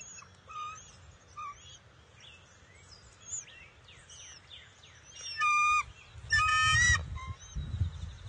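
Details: Juvenile bald eagle at the NCTC nest on June 22, 2021, calling noisily to welcome an adult arriving with the first fish of the day: high, thin chirps and whistles in irregular series, ending in louder harsh, stacked squeals, over a low rumble.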